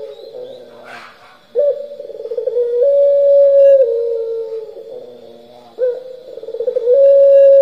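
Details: Turtle dove giving a pelung-style coo: a quiet lead-in, then a rolling, pulsed phrase rising into a long, held note. It repeats, ending on another steady tone.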